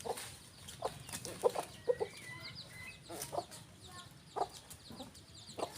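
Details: Rooster and hen on a farm giving repeated short, punchy clucks at an uneven pace through the whole stretch, with faint twittering of small birds in the background.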